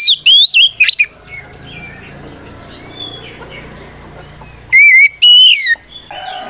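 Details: Oriental magpie-robin fighting song used to provoke other birds: a short burst of warbled whistles, a long stretch of quiet background hiss, then two more loud whistled notes near the end.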